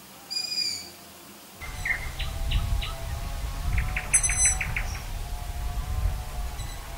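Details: Long-eared owl chicks, filmed at night, give their characteristic short, squeaky kitten-like mewing notes, several in quick series, over a steady low rumble of wind or handling noise.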